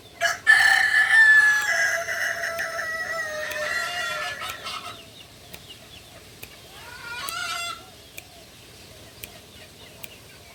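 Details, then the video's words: A kukuak balenggek chicken, native to Solok, West Sumatra, crows loudly with a long wavering note that fades into lower trailing syllables, then gives a second, quieter crow of short stepped notes, with scattered clicks. "Ayam kukuak balenggek"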